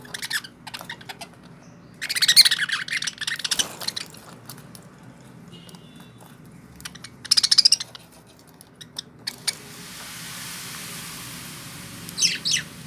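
Lovebirds give bursts of shrill, harsh chirping chatter, separated by quiet stretches.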